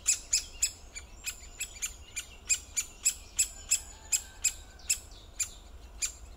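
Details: Great spotted woodpecker calls: crisp, high 'kik' notes in a quick series, about three each second. The first few come closer together, then the rhythm steadies. Quiet low-frequency background noise.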